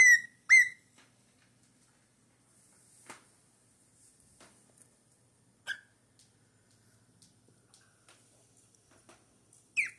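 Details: Four-month-old pet cockatiel giving short, clear whistled notes with rich harmonics: a quick pair at the start, one lone note mid-way and another at the end, separated by long quiet gaps.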